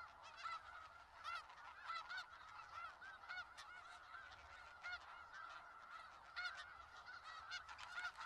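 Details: Dense clamour of a snow goose flock in Skagit Valley: countless overlapping honks form a constant nasal wall of sound, punctuated by frequent sharp individual calls close by.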